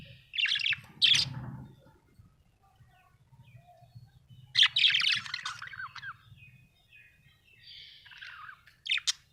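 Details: Happy budgerigar chirping: short bursts of bright, scratchy chatter with quick high notes, separated by quiet gaps and a faint low hum underneath.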